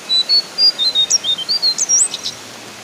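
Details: Horsfield's babbler, brown form, in energetic 'ngeplong' calling: a steady stream of crisp high whistles, some level and some swooping up or down, delivered almost without pause against a soft steady hiss.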